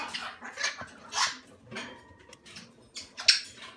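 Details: Salmon-crested cockatoo chicks, hand-reared and under one month old, giving rough, hissing begging calls in uneven bursts about every half second, with faint clatter in the background.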